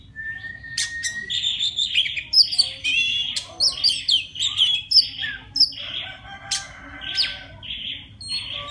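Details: Singing to call a female, a wild Oriental magpie-robin opens with a long steady whistle, then pours out a varied stream of sweet whistles, trills and short chirps.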